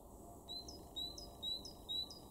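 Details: Great tit in a garden in Weener, East Frisia, far northwest Germany, March 2023: four high, thin, clear two-part notes, each a steady whistle ending in a short upward flick, spaced about half a second apart, in quiet surroundings.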